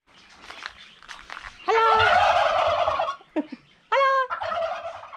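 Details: Turkeys gobbling: a loud, rapid rolling gobble lasting over a second, then a short sharp note and a second brief gobble, with quieter clucking at the start.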